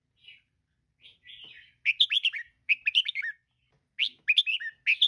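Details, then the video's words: Calls of a female red-whiskered bulbul, used to stir caged birds into singing and activity; a few soft warbled notes open, then three loud bursts of rapid, bright chattering notes. "เสียงนกกรงหัวจุกตัวเมีย แก้นกดร็อป นกไม่เล่นราว"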